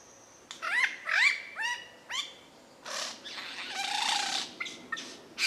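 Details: Under dim rainforest canopy at Dorrigo National Park, a mature male lyrebird runs through his repertoire: rising whistled notes with overtones, then harsh broad rasping bursts and short chirps.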